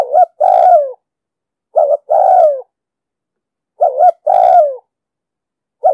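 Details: Lure recording of a spotted dove cooing 'thúc gù' style for trapping and training birds: three full phrases, each a fast two-note hoot leading into a sustained downward-gliding coo, roughly two seconds apart, with a fourth beginning at the end.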